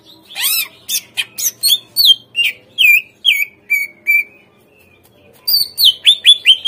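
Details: Lure recording of greater green leafbird song: quick chains of down-slurred whistles after a rising opening note, a short pause, then another fast burst of bright repeated whistles.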